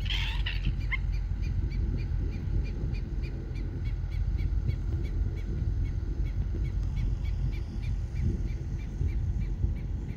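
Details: Aeʻo, the endangered Hawaiian stilt, recorded on Maui on February 9, 2024; a brief harsher burst opens, then quick, clipped, evenly spaced notes continue the whole time beneath heavy low wind or surf noise.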